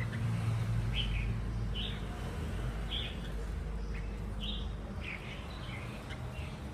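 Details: Red-whiskered bulbul, a wild-caught adult said to be a keen singer, utters a series of short, clipped whistled notes roughly every second, some doubled, against a constant low hum of background noise.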